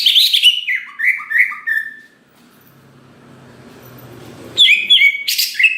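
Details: Greater green leafbird singing to provoke other leafbirds into song: a burst of high chirps, then descending slurred whistled phrases repeated quickly, a quiet gap with low hum, and a renewed bright chirping flurry.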